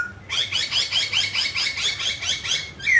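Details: A mutant grey laughingthrush sings during a dancing display. It gives a quick, rhythmic series of about a dozen high chirping notes, evenly spaced, and ends with a sharp falling whistle. A low hum continues beneath.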